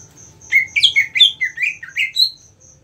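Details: Cucak ijo, a green leafbird trained for bird-song contests. A lively run of about eight clear whistled notes bounces up and down in pitch. A soft high ticking continues underneath.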